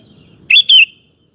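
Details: Sooty-headed bulbul in lively song, used to provoke male birds into answering: one crisp two-note whistled phrase, the second note sliding downward, then quiet.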